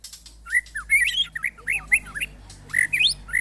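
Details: Murai batu in a mental test with neighbours' birds. Short, looping whistled phrases rising and falling, each about half a second apart, over a low constant hum.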